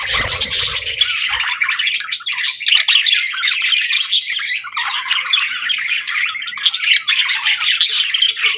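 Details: Afternoon whistles of several budgies: continuous scratchy warbling packed with quick chirps, squeaks and short whistles, with a brief low rumble at the start.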